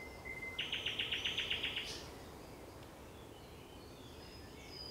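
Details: Thrush nightingale singing at sunset on 30 May 2021: a short flat whistle, then a fast, very regular series of about ten loud chattering notes, then quiet with faint distant birds.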